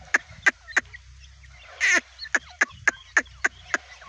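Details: Partridge chicks, Irani partridge: short sharp peeps repeated roughly every third of a second, one louder rasping burst in the middle, over a low steady hum.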